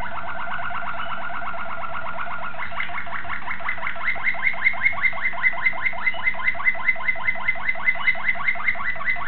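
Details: Song of a young Malinois Waterslager canary, 2009: a long rolling series of rapid upslurred notes that grows louder and higher partway through, keeping an even beat.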